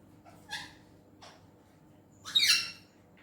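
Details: Indian green ringneck parrot talking in Urdu/Hindi. A short nasal syllable and a brief low note are followed by a loud, grating, multi-tone burst near the end of the short phrase.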